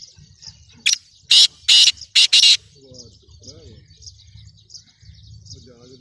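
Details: Black francolin (kala teetar) calling: a quick series of five loud, harsh, grating bursts packed into under two seconds, the middle notes longest, over faint high chirping of other birds and low background murmur.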